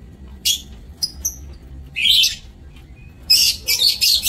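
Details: Lovebirds in an aviary, 27 March 2024: a few sharp, high chirps and a brief rising squeal, then a dense, scratchy burst of shrill overlapping calls at the end.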